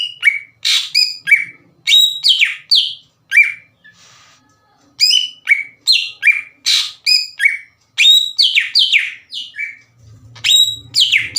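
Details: Greater green leafbird lure song for provoking rivals: rapid, varied whistles and chattering slurs in dense bursts, separated by brief quiet spells, with faint low rumble near the end.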